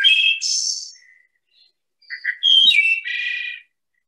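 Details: Wood Thrush, a singer of the northern woods, gives its flute-like song: two phrases, each a few clear whistled notes ending in a bright, ringing trill, about two seconds apart.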